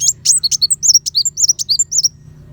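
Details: Sunbird known locally as kolibri wulung, its spicy 'tembakan' phrase used to master white-rumped shamas. Quick alternating high sweeps and sharp clicks tumble out for two seconds, then fade to a quiet hum.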